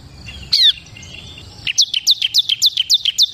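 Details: One sharp, harsh call, then after a pause a steady series of about ten bright, high descending notes from a bar-winged prinia, the ciblek kristal.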